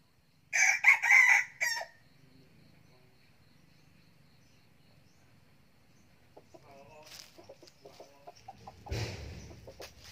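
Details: Crowing young red junglefowl cock used as a decoy: a loud, hoarse, segmented crow lasting just over a second opens the recording, then a long quiet stretch, followed by scattered softer calls and handling noises.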